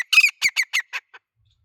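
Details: A loud male grey francolin gives a short run of about seven harsh, metallic notes that grow quieter and more spaced toward the end before falling silent.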